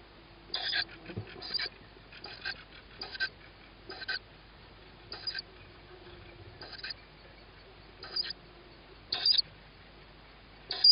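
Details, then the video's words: Owlet of the tawny owl hearing its mother on an evening in May 2017; short, harsh, hissing shrieks repeated irregularly, roughly every one to two seconds, against a quiet background. "Tawny Owl-Small hears Mom,first food for sib on roof,then feeding"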